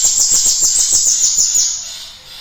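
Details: Cinereous tit singing to stimulate other birds to sing. A short, loud burst of very high, quickly repeated sharp notes, about seven per second, lasts under two seconds and then fades.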